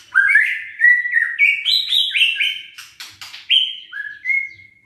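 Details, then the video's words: Caged white-rumped shama (murai batu) song meant to provoke sluggish, silent birds into singing: loud whistled phrases stepping up and down in pitch, slurred notes with sharp clicks and chattery bursts between. "PANCINGAN EMOSI MURAI BATU LOYO DAN MALES BUNYI"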